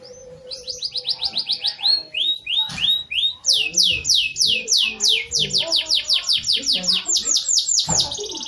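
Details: Caged canary singing near dusk, filling its song with imitations of a bar-winged prinia: long runs of fast, evenly repeated high whistled notes that sweep down in pitch, shifting between pitch levels, about one and a half notes per second.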